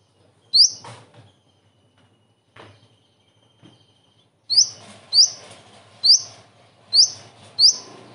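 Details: Common iora singing kingfisher imitations: a few scattered notes, then from mid-clip a run of sharp, piercing rising notes repeated about once per second, each with a thin trailing rasp, over faint background hiss.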